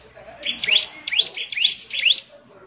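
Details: Bar-winged prinia in gacor song, called ciblek semi, said to make others answer: four or five high, slightly softer upward-sweeping notes delivered in quick pairs over faint background murmur.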